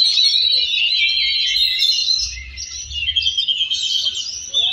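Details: Several Oriental magpie-robins sing at once in a contest class session in Cilegon on 5 December 2023, judged adult birds: a dense, unbroken stream of rich, high whistles, trills and chatter, with a low background rumble.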